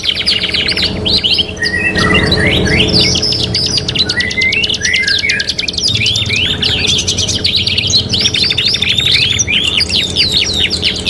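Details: Long canary song phrase from a kenari gacor master training recording: rapid mechanical trills, buzzy rolls and interleaved whistled slurs, continuous for over ten seconds without a break.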